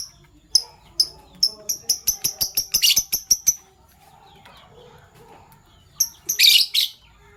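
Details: Fischer's lovebirds, PB Violet and Euwing Gold Opaline, in the morning: a fast run of about fifteen high, shrill chirps, quickening and ending in harsh squawks, then a pause and another short noisy burst.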